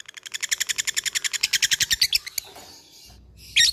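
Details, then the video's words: Labet fighter bird challenging an opponent with ngekek chatter: a fast rattle of about twenty even, high, harsh notes lasting two and a half seconds, then a single sharp chip. "LABET memanggil lawan | ngetik ngekek"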